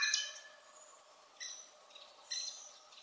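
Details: Eurasian golden oriole singing very high and far away: three short, fluty, rich-toned phrases about a second apart, with quiet background ambience between them.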